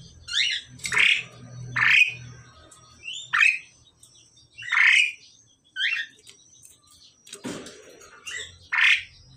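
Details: Male and female pied mynas during pairing: loud harsh squawking notes, each a short descending burst, given about every one to two seconds in a loose series, with low rumbling background noise at the start.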